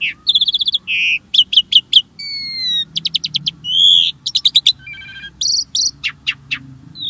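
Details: Varied starling song, played to get caged birds singing: rattling buzzy bursts, pure slurred whistles, rapid ticking series and harsh squeaks alternating quickly, with a continuous low rumble in the background.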